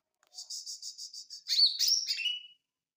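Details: Small leafbird, called ijo mini, singing; a string of seven quick high chirps, then a louder tumbling phrase of squeaky whistled notes that slides down at the end, in a quiet setting.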